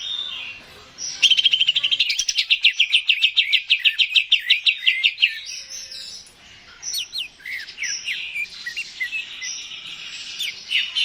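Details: Cucak ijo, greater green leafbird, singing to stimulate other birds: a long rapid series of sharp repeated notes, about three per second, over four seconds, followed by buzzy chatter and sliding whistles.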